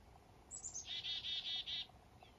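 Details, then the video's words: One full chick-a-dee call from black-capped chickadees in morning fog on a northern fishing trip: three high thin descending notes, then five evenly spaced buzzy 'dee' notes. "Blackcapped Chickadees & Morning Fog"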